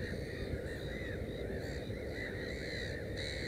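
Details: Black-headed gull at its nest with three chicks, 15 May 2016, giving harsh, arched, nasal calls several times over a few seconds over a steady low rumble of wind or background noise.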